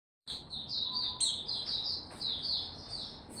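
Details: Caged white-eye, a songbird kept by a bird keeper, gaining confidence before opening into full song, dated 6 March 2022; a continuous run of high, thin twittering notes with sharp chirps over faint background hiss.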